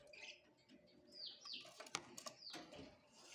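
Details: Budgerigar calls: a few clear, sharply descending whistled chirps spaced about half a second apart, mixed with softer chatter and a couple of brief clicks, set against a faint indoor hum.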